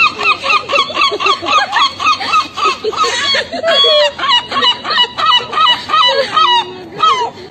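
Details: Gulls squabbling with other gulls, giving loud, ringing, nasal calls repeated rapidly in a steady series of about two per second, each note bending down at its end, with a few lower squawks mixed in.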